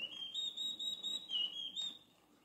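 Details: Campo flicker sounding the alarm at a large tribe on the move: a run of clear, high whistled notes held almost level, slightly wavering, fading out after two seconds.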